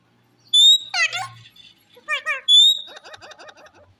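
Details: A pet Alexandrine (raw) or ringneck parrot gives two clear, high, level whistles, each followed by short, word-like talking syllables, and ends with a quick, scratchy chatter.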